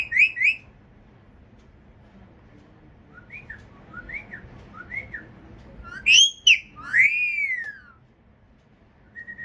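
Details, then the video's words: Parrot whistling: clear rising-and-falling notes, first a quick pair, then a soft series of four short arched whistles, then loud swooping whistles ending in a long falling glide, with a faint high note at the end. "Parrot voice"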